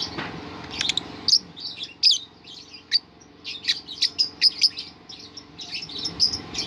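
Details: Lovebird singing in the ngerol style, a series of sharp high chirps and squeaky notes in short bursts separated by brief pauses, with faint low hum beneath.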